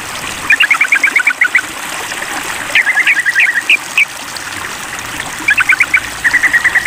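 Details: Sooty-headed bulbul answering a rival in a mental test with rapid chattering bursts, a few louder rising chips mid-clip, then more quick rattles, over continuous trickling water.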